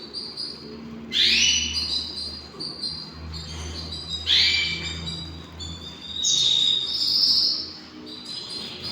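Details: Hand-tamed canaries: three loud bursts of bright chirps, each opening with a rising sweep and holding ringing high tones, spaced about every three seconds, with quieter twittering between and a low background hum.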